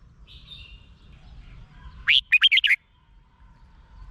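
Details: Song of the Red-whiskered bulbul, a Thai cage bird, used to make other birds excited: a soft high trill, then a tight phrase of five rich, rolling whistled notes.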